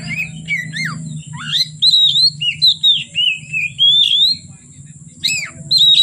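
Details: Oriental magpie-robin keeps singing from afternoon until night: sweet sliding whistles, falling slurs and long clear notes strung together, a short gap, then more bright phrases, over a low droning hum.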